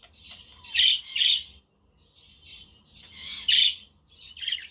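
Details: Budgies on a sunny but windy day, a quaker and a conure audible behind them: paired loud rasping chirps, a brief pause, then another harsh double burst and softer twittering.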